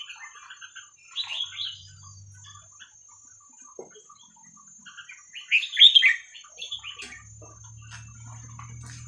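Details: Red-whiskered bulbul song in the style called 'hua khrok khayao khuat', played for teaching young birds: bright warbled phrases near the start and a louder burst of quick rising and falling notes around the middle, with a steady high hum and faint low rumble.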